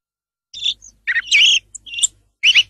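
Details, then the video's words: Song thrush song: short, bright phrases of high chirps and whistles, separated by brief silences, with one sharper trill near the end. "song of the thrush (canto del tordo bottaccio)"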